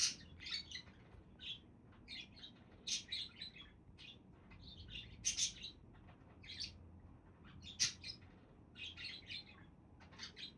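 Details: Relaxed budgerigars keep up a busy, uneven stream of scratchy chirps, squeaks and warbled notes, several loud bursts standing out.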